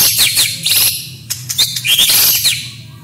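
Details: White-rumped shama masteran with small-bird shots and rolls: dense, harsh, high-pitched rattling bursts and squeaky notes packed closely together, with brief gaps between phrases.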